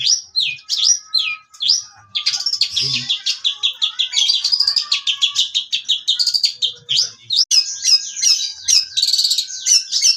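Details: Long-tailed shrike of the Priangan variety, a young bird just out of its spotted plumage, singing intensely: a dense, fast run of high chattering and whistled notes, sweeping and buzzy, with barely a break.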